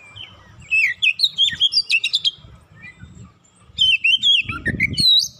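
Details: Oriental magpie-robin (kacer), emotional after a single provocation, singing isian phrases: strings of quick, wavering whistles in two energetic bursts divided by a short lull, with a low thumping noise near the end.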